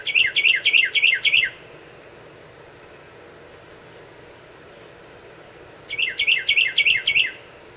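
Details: A male wren tending nestlings on 2 July sings after leaving the nest by a porch: two loud, high bursts of five or six rapidly repeated notes, each about a second and a half, with a quiet pause between.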